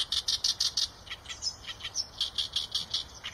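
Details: Rapid, rhythmic chirping of Eurasian tree sparrow, bright clipped notes roughly three per second throughout, with a few thin high whistled notes between them.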